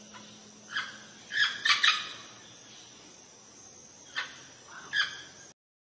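A Rose-ringed Parakeet gives a few short, harsh, raspy squawks at irregular intervals over about five seconds, against a steady high-pitched whine and low hum.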